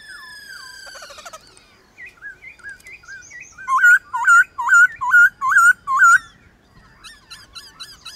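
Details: Morning duel between a White-cheeked laughingthrush and wild birds: soft descending notes, then a loud run of repeated looping whistled notes about two per second, with quieter answering notes after.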